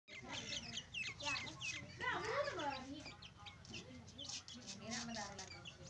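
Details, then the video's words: Domestic hen with two chicks: soft, rapid clucks and murmured calls, rising into a louder run of wavering notes in the middle, with thin high chick peeps scattered through. "2 chicks hen"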